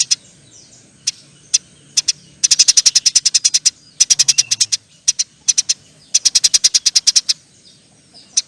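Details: Eurasian tree sparrow with long chattering song called nyerecet panjang, loud high chirps in fast bursts of eight to twelve notes separated by short pauses.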